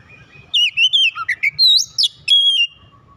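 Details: Oriental magpie-robin song meant to spur a bird that has stopped singing: rapid varied whistled phrases, sliding up and down, with sharp rising notes and a long clear final whistle over faint low background hum.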